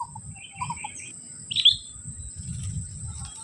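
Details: Wild sooty-headed bulbul calling at a trapping spot: a few quick whistled notes, then a brighter burst of chirps in the middle, with a steady high-pitched whine and soft low rumble throughout.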